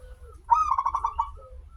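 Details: Local zebra dove giving its lure song to make others sing: a crisp opening note followed by a rapid rolling string of roughly seven short coos, with faint low tones before and after.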